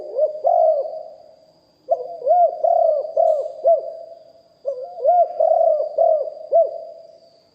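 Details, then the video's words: Spotted dove, live recording of a deep-voiced bird in the Thai lio hoi and kuk hoi cooing styles: three bursts of low, hollow coos, each a quick run of four to six rounded notes after a soft lead-in, with quiet gaps between. "นกเขาใหญ่คับ birds - Ep 1 เสียงต่อนกหลิ่วห้อย เสียงใหญ่#2 & 4กุกห้อยเสียงใหญ่ บันทึกเสียงสด"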